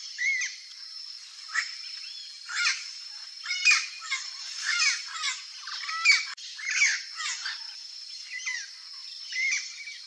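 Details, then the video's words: A wild turquoise-fronted parrot (Amazona aestiva) in its natural Brazilian habitat gives harsh, raspy squawks and chattering notes in bursts about once a second, over a steady high insect drone. "PAPAGAIO VERDADEIRO Canto (AMAZONA AESTIVA) TURQUOISE-FRONTED PARROT"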